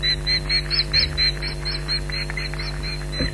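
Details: Ospreys at their nest at Loch Garten, Scotland, calling in alarm at a persistent intruder on 15 July 2011, recorded by a live nest camera; a rapid, steady series of short, high, piercing yelps, fairly faint, over a constant low hum.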